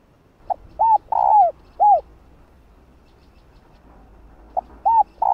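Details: Female spotted dove calling to a male: low mellow coos, a soft short note, then arched hoots and one long drawn-out falling coo. Two phrases are separated by a quiet pause of about three seconds.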